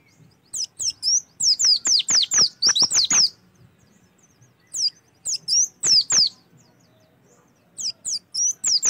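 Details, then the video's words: Oriental white-eye song used as a lure to prompt other birds to sing: bursts of high, thin, rapidly descending whistled notes in quick chattering runs, separated by short pauses, against a quiet background. "PANCINGAN AMPUH SUPAYA PLECI LANGSUNG BUKA PARUH"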